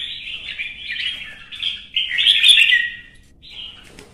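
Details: Red-whiskered bulbul singing competitively to stir up rivals: bright warbled phrases around the upper-middle range, a long burst peaking in the middle, then a short closing phrase, with quiet background.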